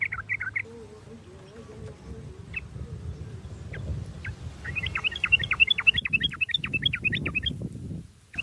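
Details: Sooty-headed bulbul singing, played as a lure to get other bulbuls singing: a few scattered chirps, then a lively rapid run of clear, bouncing notes lasting about three seconds over a low background rumble.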